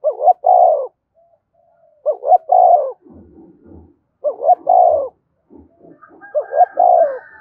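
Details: Spotted dove calls used to stimulate fighting and rouse wild-caught birds: mellow cooing phrases of three or four notes, each ending in a longer drawn-out coo, repeated about every two seconds, with soft low knocks between phrases.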